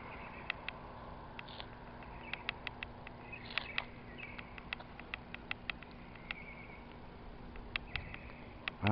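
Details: Birds chirping around eleven o'clock at night under a big full moon: short sharp chirps and brief trilled phrases scattered through the clip over a steady low hum, with a loud thump at the end.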